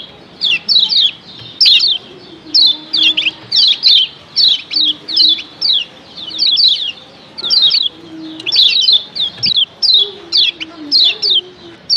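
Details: Lemon-bellied white-eyes, female and male calling together, a combination said to stir every other white-eye into calling: bursts of high, thin, downslurred chirps in quick clusters, roughly once a second, with a faint low hum beneath.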